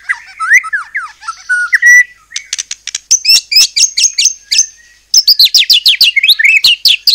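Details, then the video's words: White-rumped shama (murai batu) in full song, used as a lure to provoke other shamas into answering: varied whistled phrases, then rapid rising and falling notes and dense high twittering bursts. "murai batu gacor AMPUH buat PANCINGAN murai batu agar bunyi JADIKAN burung murai gacor EMOSI NYAUT"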